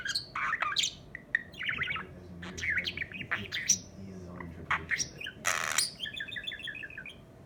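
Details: A male budgerigar who has learned a few phrases chatters in quick, scratchy warbles and chirps, mixing in speech-like mimicry, with a brief clattering noise.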